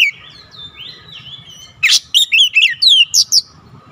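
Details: After soft, drawn-out whistles, an oriental magpie-robin bursts into energetic bongkar isian singing: about six loud, sharp, chirping whistled notes in quick succession, over a faint low background hum.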